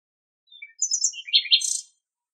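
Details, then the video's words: A common nightingale sings one rich phrase in Greek nature: a few thin, high whistles give way to a quick jumble of sweet and chattering notes, ending in sharp trills, against a quiet background. "Το Αηδόνι Κελαηδάει - Αηδόνι Κελάηδημα - Nightingale singing"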